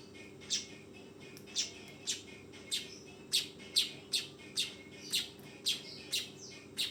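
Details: A young weaver gives bright, high chirps in a steady series, about two per second later on, each note brief and sharp, with a faint constant hum underneath.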